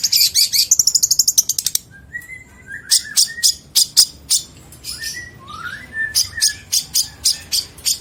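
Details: Long-tailed shrike singing a rich fill-in song meant as training material for other birds, 2022: a fast run of sharp high buzzy notes, then sliding whistles around the middle pitch mixed with crisp clicks and chips.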